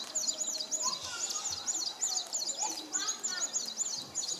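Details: Male São Tomé prinia displaying at Nova Moca on São Tomé island, January 2019; very high, quick, twisting chips strung together in fast runs with short breaks, plus faint lower whistles from other birds behind.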